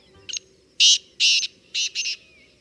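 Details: A partridge calling loudly from fields on a cold morning in the Kumaon hills, a second answering after a moment: a harsh phrase of five grating notes in about two seconds, two of them paired, with no other clear sounds.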